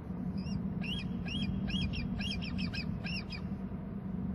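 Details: Eaglet calling: a run of about ten thin, high squeaky notes, some in quick pairs, over a steady low hum.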